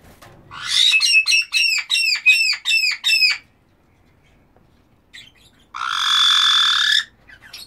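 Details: Black-headed caiques calling: a rapid run of about eight loud, shrill, arched notes with rich harmonics, then a pause and a long harsh screech near the end.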